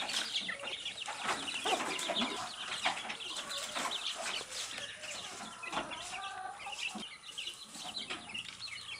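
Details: Baby chicks chirping while eating earthworms: dense, overlapping high peeps and short chirps from several birds, steady and busy throughout with a faint constant hiss.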